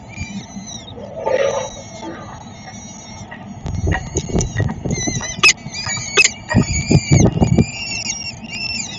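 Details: Peregrine falcons feeding in Szczecin, 22 April 2021: wailing tonal calls fade in and out, then grow busier with quick rising and falling notes, amid clunks and urban traffic noise.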